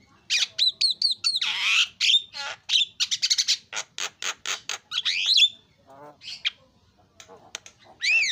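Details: Javan myna in lively song after a lure recording, pouring out a dense run of rasping squawks, clicks and slurred whistles with barely a pause, then a few scattered notes and a rising-falling whistle.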